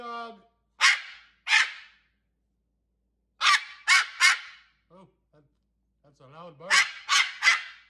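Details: Pet cockatoo mimicking a dog, hanging out with its owner on a chair, lets out loud rasping barks in twos and threes, mixed with the owner's speech asking it to stop.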